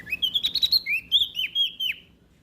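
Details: Olive-backed tailorbird from West Nusa Tenggara, Indonesia, singing strongly as a lure for silent birds: a brisk string of clear, ringing chirps with sliding pitch, about ten notes in two seconds.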